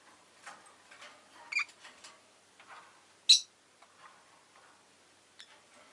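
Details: Rosy-faced lovebird with soft, scratchy chatter and two brief shrill squeaks, the second one much louder and sharper.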